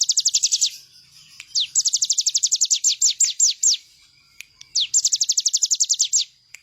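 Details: Bar-winged prinia song as bird-training master: short fast burst of high descending notes, a pause, a longer run slowing to spaced notes, then another rapid burst after faint clicks.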